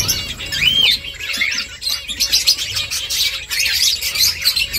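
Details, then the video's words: A short burst from finches at their nest: an upslurred whistle early on, then busy overlapping high chirps from several birds. "Finches chirping sounds Finches making nest"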